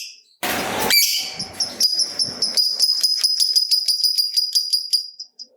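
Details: Lovebird giving a long trill to stimulate other lovebirds: a burst of harsh noise, then a fast, steady series of high, sharp chirping notes running for about four seconds.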